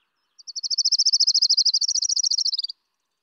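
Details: Orange-crowned Warbler song in the Seattle area, an early spring migrant breeding in June: a fast, even, burbly trill of about thirty high notes, like a thumb down comb tines, descending at the end; finding: Orange-crowned Warbler.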